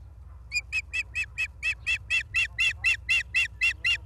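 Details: Osprey at a nest-cam site in Charlo, Montana, on 28 August 2023, afternoon: a loud, steady series of sharp, high chirps, about two per second for over three seconds, each note slightly buzzy, over a faint low hum.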